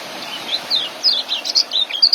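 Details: Young white-eye used as a tutor for caged birds: quick high twittering notes, short downward slurs and bright chips tumbling together, getting louder toward the end, with light background hiss.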